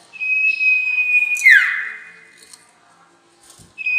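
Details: Trapping lure of a sirtu, the White-shouldered Triller: a sustained level whistle ends in a sharp buzzy descending slur, then quiet with faint clicks before another whistle begins.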